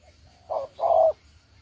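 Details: Two-note coo of a spotted dove kept as a trapping decoy from Đồng Ngô: a clipped first syllable followed by a longer, slightly falling second note, in a quiet background.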